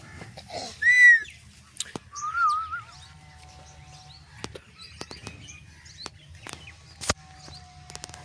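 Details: Ringneck parrot vocalizing in the presence of people. A loud, harsh, harmonic screech comes near one second, then a wavering, warbled phrase. Scattered quieter clicks, taps and faint chirps follow over a low background hum.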